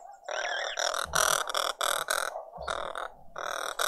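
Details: Green woodhoopoe family group at breakfast in a suburban garden in Pretoria, South Africa, on a spring Sunday morning: loud, harsh, rasping cackles in rapid bursts, repeated with brief pauses, several birds overlapping.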